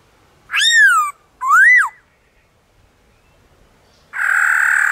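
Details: Wild black-throated laughingthrush singing in the forest. Two clear arching whistles, the second rising then falling, then a pause, then a harsh, broad buzzy note at the end.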